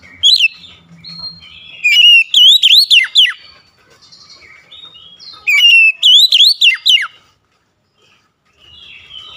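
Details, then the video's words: Oriental magpie-robin gives two matching loud phrases, each a fast run of swooping, whistled notes, about four seconds apart. Quiet pauses separate them. "GACOR SEKALI MENDENGAR OCEHAN KACER INI"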